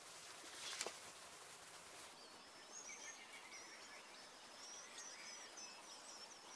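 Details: Red-backed shrike feeding its young: thin, high squeaky notes repeat faintly and irregularly after a single sharp click, over a steady outdoor hiss.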